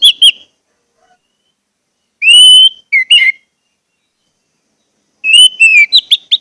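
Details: Orange-headed thrush, lure song for caged birds: scattered short phrases of clear whistles, one long even whistle and quick dropping notes, separated by silent gaps in a quiet background.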